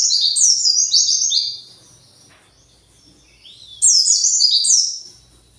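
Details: Agitated white-eye calling while searching for its flock: two bursts of high, bright chirps sliding downward in quick overlapping notes, separated by a quiet gap with a faint rising whistle.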